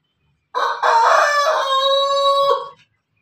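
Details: A rooster, a cross of Pelung, Bangkok and Ketawa chickens, gives a single crow, rough at the start, then a long, steady, tonal note.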